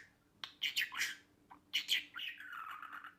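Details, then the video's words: A pet budgerigar gives two short bursts of harsh, squeaky chirps, then a long wavering whistle that dips and levels off, over a faint low hum. "Muhabbet Kuşu Kalmasın. Dinlet HEMEN NET Ötmeye Başlasın 1 Saat Cici Kuş Sesi"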